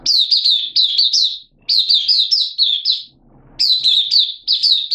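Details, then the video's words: Hobby-kept oriental white-eye in open singing, 8 September 2022, a little off form: three lively high-pitched warbling phrases of fast, slurred chirps, each about a second long, with short gaps and a quiet room. "Mata Puteh Kitaro Buka Sing 08092022"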